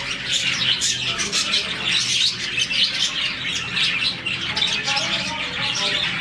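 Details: Morning chirping by a colony of about 40 budgerigars, a sign they are happy; overlapping high twitters with some harsher squawks standing out above the steady chatter.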